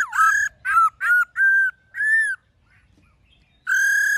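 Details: Black-throated laughingthrush song in the forest-voice style with many voices: loud, clear whistles, some slurred and wavering, a short silence, then one long steady ringing whistled note.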